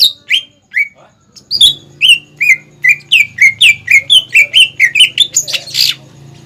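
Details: Greater green leafbird singing energetically as a training lure for young birds: scattered falling whistles build into a rapid, regular chain of slurred chirps, ending in a harsh buzzy note, with a faint low hum behind.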